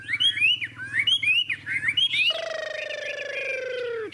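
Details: Big-tailed golden Hwamei in fighting song: a few quick rising whistled phrases, then a long steady lower tone that drops away at the end.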